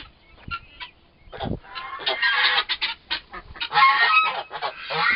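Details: Young turkey toms, both around four months old, fighting at length. A thin call and clicks open the clip, then a rising run of loud, raspy screeching squawks that grows denser toward the end.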